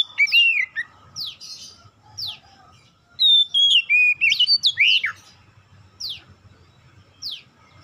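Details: Lure song of an oriental magpie-robin meant to set other magpie-robins singing: high, sharp downward-sweeping whistles repeated about once a second, with a fuller warbled run of slurred notes midway, a faint steady hum behind.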